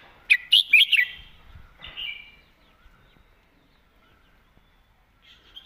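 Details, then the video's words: Red-whiskered bulbul delivering a crisp phrase in the 'master song' style, a quick cluster of loud, bubbling whistles in the first second, then a softer trailing note and near silence. "วางสำนวนชัดๆ"เดินเพลงแม่บท ชัดถ้อยชัดคำ"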